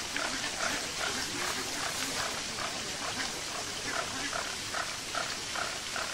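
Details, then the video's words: Captive flamingo flock at Marwell Zoo in the UK, producing loud, ringing nasal honks in a fast, regular series, accompanied by steady falling water from a fountain. "10 Hours of Flamingo Sounds"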